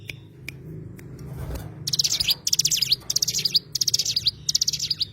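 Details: Oriental white-eye, called cigun locally: after a quiet start comes a run of five quick, high-pitched twittering phrases, each a dense cluster of thin chirps, spaced about half a second apart over faint low hum.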